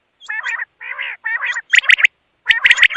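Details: Quail giving harsh, raspy, gargling notes in short bursts, about six phrases in three seconds, the later ones louder and more grating.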